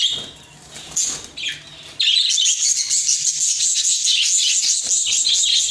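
Budgerigars chatter in a dense, high, scratchy stream of quick chirps and warbles.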